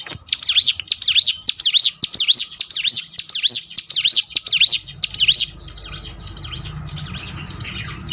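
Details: Brown prinia, locally ciblek gunung, in a recording meant to train birds to sing more often: about five seconds of strong, rhythmic high whistles, each note dipping and rising, then the song fades into soft background noise.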